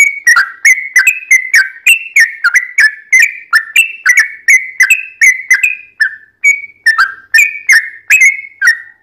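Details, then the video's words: Long 'ropel' song of a lively yellow-vented bulbul, played to lure others into singing: a steady stream of bubbly, wavering whistled notes, roughly two to three per second, with a brief pause near the six-second mark. "trucukan gacor ROPEL PANJANG buat pancingan trucukan agar bunyi JADIKAN burung trucuk gacor NYAUT"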